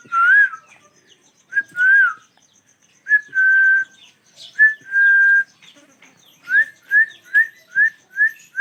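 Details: Pair of ringneck parrots calling: loud, clear whistled notes, some drawn out and flat, some with a rising-falling curl, ending in a quick run of five or six short upslurred whistles, over a faint steady ticking.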